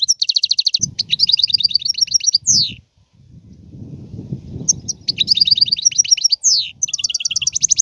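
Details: Continuous European goldfinch song of rapid tinkling trills and twittering phrases, broken by buzzy descending slurs, over a steady low rumbling noise in the background.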